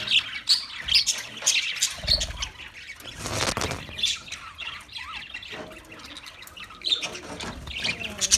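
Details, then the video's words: Outdoors, budgerigars keep up dense, high-pitched chattering: sharp squeaky chirps and squawks, loudest in bursts near the start and end, with a low rumbling noise in the background. "Budgies Birds Nature Sounds"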